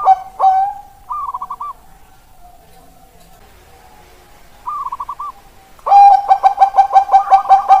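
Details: Perkutut Bangkok zebra dove recorded 16 October 2023: a couple of strong coos open, then soft distant trilled phrases and quiet, before a close bird bursts into rapid, mellow, rhythmic cooing near the end.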